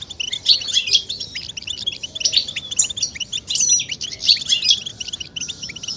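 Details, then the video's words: European goldfinch mating calls to stimulate singing: six seconds of quick, tinkling high twitters and liquid chirps in rolling bursts, rising and falling in loudness about every second. "بتبتة فتاكة وفعالة في تحفيز الحسون على التغريد والهيجان والخروج من الستريس"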